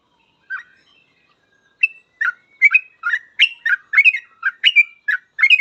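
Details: Trucukan, the yellow-vented bulbul, delivering gacor full ropel song meant for tutoring young trucuk. A lone note and a thin whistle lead into a rapid run of chirpy, gurgling phrases packed close together.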